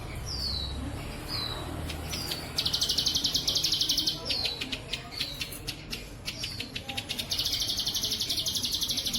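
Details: Plain prinia singing bren cililin, recorded clearly as training material for kept birds: several high falling whistles alternating with bursts of rapid, buzzy, evenly pulsed notes and scattered sharp clicks.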